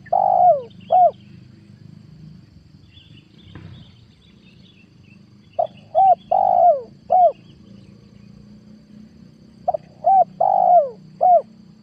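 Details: Spotted dove cooing from 2022, used as a lure for wild doves. Three separate phrases about four seconds apart, each made of short soft notes around one drawn-out downward-sliding coo. A faint click and a steady low hum are also audible.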